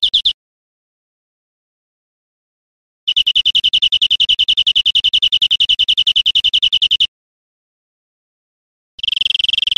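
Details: Caged-bird training recording of European greenfinch song: a brief trill fragment, then a sustained four-second run of quick, regular high notes, and another trill beginning at the end.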